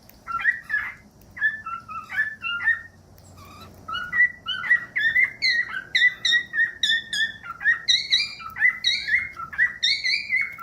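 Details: Cockatiel song played to teach a cockatiel to sing: short whistled notes that build into a lively, continuous warble, the notes climbing higher toward the end.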